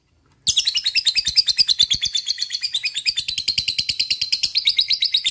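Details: Lovebird in long ngekek song, a rapid run of harsh, buzzy chattering notes repeated many times a second without pause for about five seconds, loud and close.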